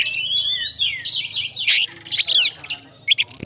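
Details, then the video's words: Fighter Oriental magpie-robin with fill-in-rich song aimed at setting off other magpie-robins: a long wavering whistle, then loud harsh bursts and a rapid stuttering trill. "BUNYI BURUNG KACER FIGTER, FULL ISIAN KACER LAIN LANGSUNG ON"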